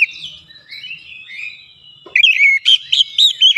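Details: Oriental magpie-robin singing a lure phrase to provoke rivals: a low, drawn-out whistled warble shifts abruptly into quick, bright, chopped notes repeated about four times a second.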